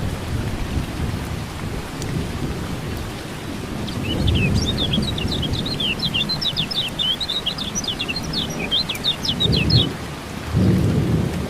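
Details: Lemon-bellied white-eye (kecial kuning), kept bird, given rain therapy to get a silent bird singing: a fast, high twittering run of short chirps and trills lasting about five seconds over steady rumbling rain-like noise.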